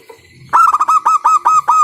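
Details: Local zebra dove calling loudly to prompt other doves to sing, delivering a quick, evenly spaced string of about eight hard, clipped cooing notes after a soft lead-in.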